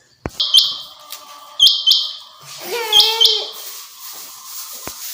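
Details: Common quail calling from a summer meadow: two sharp, high, buzzy bursts in quick succession, followed by a different harmonic, wavering call.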